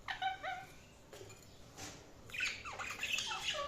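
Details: Budgies calling with harmonic-rich warbles, a few stacked chirps at first, then a quiet gap, then a busier burst of bending, squeaky notes and short squawks.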